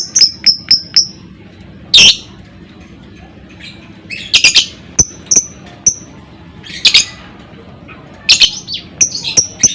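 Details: Lovebird ngekek, played to provoke other lovebirds into singing: clusters of sharp high chips alternating with harsh rasping bursts, irregularly spaced with short quiet gaps.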